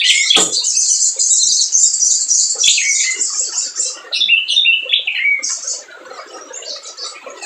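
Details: Spiderhunter song played to provoke reluctant birds into singing: rapid, very high, thin chattering and squeaky chips run together in a dense stream, then broken into shorter sharp phrases that fade toward the end.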